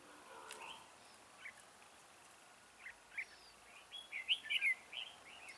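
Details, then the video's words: Red-whiskered bulbul kept as a decoy in a trap to lure wild birds: scattered short warbled and chirped notes, a quiet cluster of quick bright phrases near the end over a steady hiss of background noise. "Bẫy chào mào Mào boi 3 cao vút"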